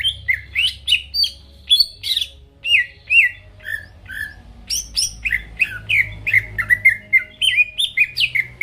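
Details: Lively greater green leafbird song meant to trigger rival birds: continuous varied whistled notes sliding up and down, delivered in rapid bursts, with a soft low hum beneath.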